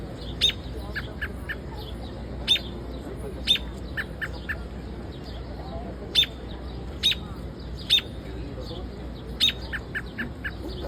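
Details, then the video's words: Sharp, high, clipped chirps from a bird in Central Park, repeated at irregular intervals of one to two seconds, each followed by fainter lower notes, against a steady low background noise. "Beautiful Bird Chirping |Central Park"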